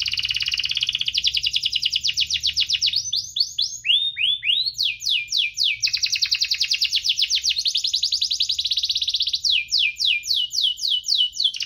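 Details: Extended canary song in the 'cuit-cuit ngerol' style, played to encourage lazy canaries to sing. Rapid rolling trills alternate with falling sweeps and swooping upturned phrases, continuous and high-pitched throughout.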